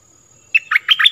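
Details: Short fragment of stripe-throated bulbul song used to teach young birds and lure wild birds: four or five quick, liquid notes, each bending up or down, after a brief quiet moment.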